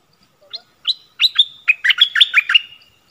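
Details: A caged Cream-vented Bulbul used as a decoy to bring wild birds down gives a quick run of sharp, bubbling chirps. The notes start sparse, then speed into a dense, tumbling chatter that lasts about two seconds.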